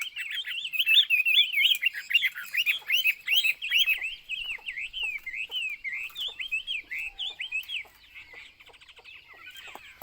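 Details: Chinese hwamei pouring out a long, rapid warbling song of looping, rising and falling whistles for about eight seconds, then falling quieter with faint background chirps.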